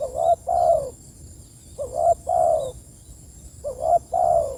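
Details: Calling spotted dove seeking its companions: three close, mellow coos, each a quick lower note followed by a longer, louder falling note, repeating roughly every two seconds.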